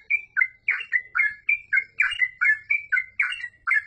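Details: Fast, continuous 'gacor full ropel' song from a yellow-vented bulbul: crisp bubbly notes tumbling out almost four per second, alternating high flat whistles with lower rising slurs.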